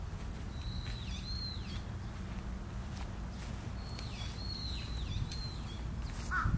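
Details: Long-eared owls, a parent and young, on Tsushima, Japan: thin, drawn-out high whistled squeals, slightly wavering, in two bursts of three or four notes, over steady low rumbling wind noise.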